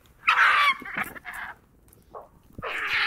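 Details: White-backed Vultures at a carcass in Southern Africa give harsh, hissing squeals and cackles in loud rasping bursts with short pauses between them.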